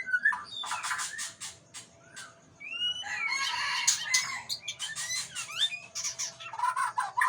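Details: White-rumped shama of the Aceh type, giving a varied, rapid song of harsh broadband notes mixed with clear whistled slurs that rise and fall, in dense bursts broken by short pauses, over a steady faint background hum.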